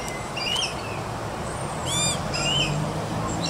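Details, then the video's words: Young Australian magpie calling while eating; short rising and falling whistled notes, then a harsh harmonic-rich squawk near the middle, followed by more slurred whistles over a steady background hiss. "Bird baby Australian Magpie yelling, singing and eating."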